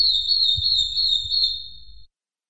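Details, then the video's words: Long-tailed broadbill giving one long, steady, pure whistle held at an even high pitch for about two seconds, wavering slightly before it cuts off, over a faint low rumble. "Suara Burung Madi Injap (long tailed broadbill)"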